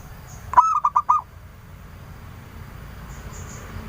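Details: Indonesian local zebra dove lure song, a single brief burst of four or five quick stuttered coos, then faint background hiss and distant chirps.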